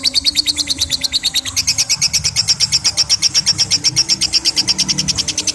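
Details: Lovebird in 'ngekek' long-chatter style, meant to coach young lovebirds: an unbroken, slightly uneven rattle of piercing high chirps, with a low background rumble underneath.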